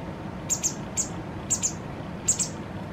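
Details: White wagtail fledgling, two days from independence, being fed its fill by a parent: short, very high chirps, mostly in close pairs, spaced about half a second to a second apart over steady background hiss.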